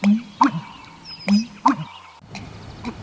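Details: Male American Bittern in mating season, in wetland vegetation, giving deep, resonant, gulping pumping notes in pairs, repeating roughly every second and a half, with a faint hiss of background noise.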